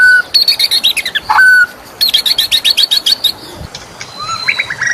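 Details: White-rumped shama singing in the morning: quick trains of high chips, a long level whistle, more rapid chipping, then softer rising notes at the end.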